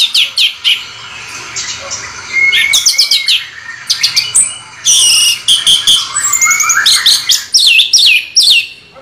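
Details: An orange-headed thrush in rolling ngeroll bocor song pours out bursts of sharp, high chirps and whistled slurs, several notes packed into each burst, with brief gaps between phrases.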